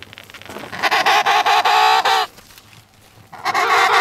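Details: Emperor penguin met on the sea ice between Cape Evans and Cape Royds, calling loudly in a rich harmonic, rapidly pulsed trumpet phrase of about a second and a half, then starting again after a short pause.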